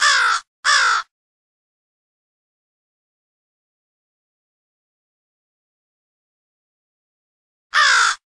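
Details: Crows from two separate groups calling for an early morning group huddle in a studio-produced mix: two harsh caws close together, a long silence, then a single caw.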